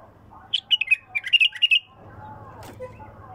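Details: Bulbul song, raw and pure-throated: a fast sequence of about ten bright, clipped notes lasting over a second, followed by a low humming background and a brief click.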